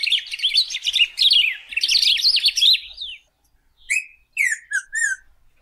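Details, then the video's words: Golden-billed saltator, locally called pepitero or picahueso, singing: a dense, fast warbling jumble of high notes for about three seconds, a pause, then several separate sharp downslurred whistled notes. "Pepitero/Picahueso Canto - Golden-billed Saltator - Saltator Aurantiirostris"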